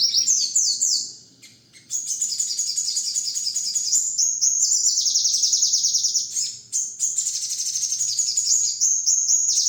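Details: Crimson sunbird (local name sogon) master song for training other songbirds: dense, very high twittering trills and rapid rattling sequences of slurred notes, almost continuous with one short pause, no other clear sounds.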